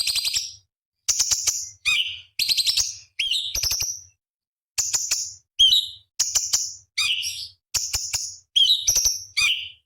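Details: Master recording of cucak cungkok for training contest birds: a repeated phrase of a rattling burst, a high flat whistle, then a falling slurred note, sung over and over with short gaps.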